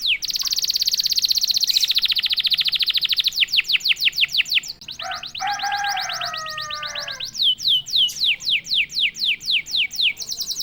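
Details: Prompted canary bursting into 'gacor' song: a long, very fast high roll, then a lower warbled phrase, then a steady series of sharp descending whistles.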